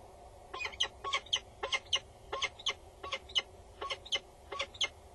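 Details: Female peregrine falcon calling loudly above a nest box on a tower in the Netherlands, bowing, with the male nearby, late morning on 22 August 2019; harsh, broadband notes in quick pairs and clusters, repeated steadily throughout.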